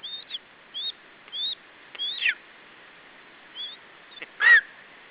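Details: Lesser spotted eagle chick at an Estonian nest, July 2012, keeping its food from the male parent. A few spaced thin, high whistles, then a longer harsher note, and a final loud, rasping squeal near the end.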